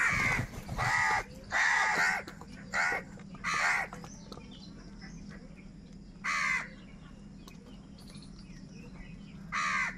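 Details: Crows fighting for food give harsh, broadband caws in bursts, some paired and some single, spaced irregularly over ten seconds, over a steady low background hum.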